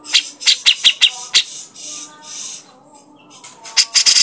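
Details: Grey-cheeked bulbul in full, sharp calling, played as a lure to get birds singing. Quick clipped staccato notes start off, followed by a rasping harsh stretch, a short lull, then a final cluster of piercing sharp notes.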